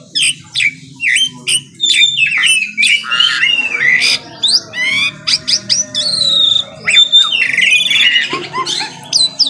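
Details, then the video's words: Asian pied starling singing steadily in the morning: a busy run of harsh squawks mixed with clear, sliding whistles and rising and falling notes, with short pauses between bursts. "KICAUAN JALAK SUREN GACOR PAGI HARI"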